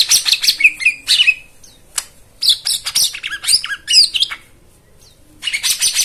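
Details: White-eye song stuffed with mimicked phrases, used as therapy for birds that won't sing: dense twittering bursts of jumbled high notes and squeaky slurs, with two brief pauses.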